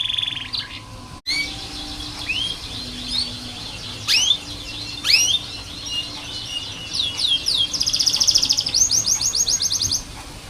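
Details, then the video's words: Canary training song for young birds learning to sing: scattered high rising whistles and chirps at varied intervals, building to a fast rattling trill near the end, with background hum and a short click. "KENARI malas bunyi, Terapi untuk kenari masteran canary"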